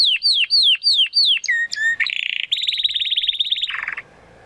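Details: A young Spanish Timbrado canary, still trying to find his full song, sings four quick, sliding whistles that drop in pitch, a few sharp notes, then a long, high, rattling trill.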